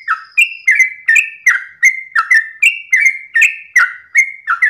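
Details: Dawn 'ropel' singing of a sooty-headed bulbul, a fast chain of sweet chirped notes that alternate higher and lower pitch, nearly continuous for the whole stretch, quiet surroundings.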